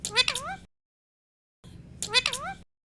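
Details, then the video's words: Indian ringneck parrot, kept as a pet, talking: two short harmonic utterances with rising and falling swoops and a low buzzy hum beneath. The second starts softer before a louder swooping phrase, with silence between. "Parrot talking Mitthu and Mummy : Talking Parrot"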